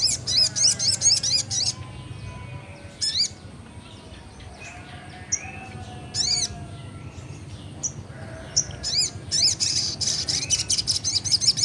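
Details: Very vocal young Crimson Sunbird in full ngleper-style song, kept as a lure for untrained birds: bursts of rapid, piercing high chirps in fast trills, a quieter gap mid-way, then dense chattering again.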